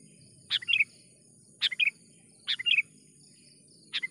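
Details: Sooty-headed bulbul calling briskly as a trapping lure: four quick chattering phrases of several chirps about a second apart, set against a louder background of insect hum and low murmuring noise.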